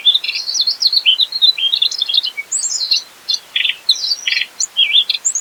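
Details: Mugimaki flycatcher delivering busy, energetic song full of filler material: tumbling high twitters and short whistled slurs, then a run of harsher buzzy chirps with brief gaps, on a clean, quiet background.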